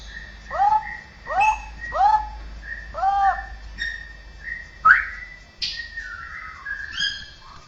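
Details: Straw-headed bulbul, cucakrowo, mimicking other birds, cats and humans: four quick downslurred whistled notes, then a sharp upward note and softer warbling glides.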